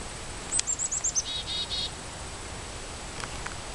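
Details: Chickadee at a feeder at the Morgan Arboretum, vocalizing while feeding: a quick run of thin, high, slightly descending notes, then three harsh, buzzy 'dee' notes, over steady background hiss.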